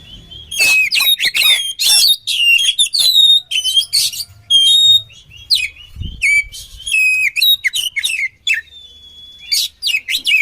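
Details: Oriental magpie-robin song for bird training, a long run of loud bright whistles, clipped chirps and swooping notes in fast bursts, with a brief pause and a soft low thump partway.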